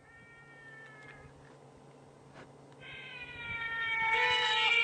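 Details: Trumpeter Hornbill call played as a recording of a species unusual in this area and spotted the day before. It gives drawn-out, nasal wailing cries much like a baby crying: a short first wail, then a longer one that swells louder toward the end.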